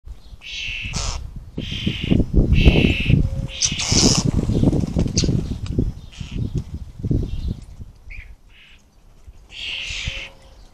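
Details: Fledgling common starlings during the 2023 fledgling season, very noisy: harsh, rasping calls repeated in quick bursts, some short pauses between them, over a steady low rumble and thumping background.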